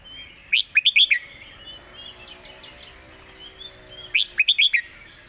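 A red-whiskered bulbul sings two bright, bubbly bursts of quick whistled notes about three seconds apart, with softer warbling in between.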